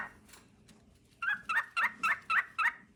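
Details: A male cockatiel sings to his mate; after a quiet start, six evenly spaced, raspy, harmonic chirps follow one another in a steady run.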